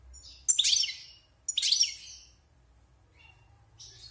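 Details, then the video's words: Wild European goldfinch, caged six months and out of moult, giving two harsh, buzzy high bursts about a second apart, followed by faint twittering. "Chant de Chardonneret sauvage (Repassage)|غناء حسون خلوي خارج من تغير الريش"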